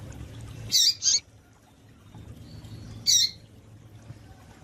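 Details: Female double-collared seedeater call used to stir up males: a quick pair of shrill high chirps, a pause, then one more chirp over a faint low background hum.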